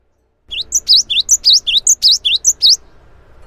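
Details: Java sparrow in lively song, played as a lure to set other Java sparrows singing: a quick run of about a dozen sharp, high chirps over two seconds, alternating short clicks with V-shaped sweeping notes, then quiet background.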